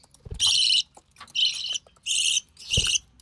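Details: Recessive pied budgerigar chick, hatched early June 2020, while its mother feeds it: four loud, harsh, hissing rasps, each about a third of a second, with short silences between them.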